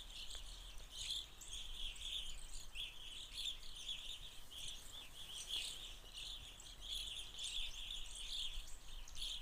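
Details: Evening grosbeak (Hesperiphona vespertina) flock feeding in Forest County, Pennsylvania, fall 2020 irruption, giving a steady chatter of short, burry, high overlapping chirps over low wind or distant rumble.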